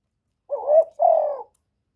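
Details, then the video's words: Spotted dove, known locally as cu gáy or cu cườm, a decoy bird giving calling, urging and cooing phrases: one low, hooting two-part coo, the first note wavering and the second steady and slightly falling, in clean silence. "Cu gáy hạp bổi {GÁY GỌI+THÚC+KÈM+GÙ khống} kích bổi hiệu quả. Cu đất gáy, tiếng cu cườm."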